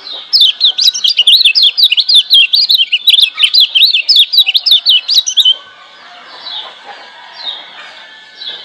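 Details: Lemon-bellied white-eye from Lombok, a wild bird, used as master song to stir quiet birds into singing: a fast run of high, zigzag chirped notes for about five seconds, then fainter background chatter of other birds.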